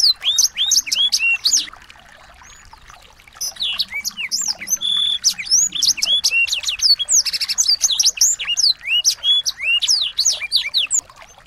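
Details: Small birds singing as a training recording to excite a white-rumped shama into song: rapid, crowded upslurred and downslurred chirps, a quieter pause near two seconds, then renewed busy twittering with a short buzzy burst mid-way.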